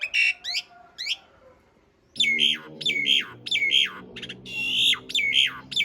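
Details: Asian pied starling singing coarse fill material with long rolls, recorded as a master for teaching cage birds: a few sharp notes, a pause, then a run of harsh, squawking, downward-sweeping phrases repeated in quick succession.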